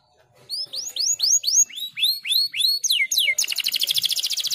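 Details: Canary master song with a unique cengkok style, used to tutor young canaries: a series of repeated upswept whistles, two sharp downslurs, then a dense rapid trill.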